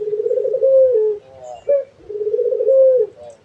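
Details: Dove cooing in a classic cage-bird style: two long, soft, vibrating low coos with a steady held ending, separated by a brief higher accent note, in a quiet indoor setting.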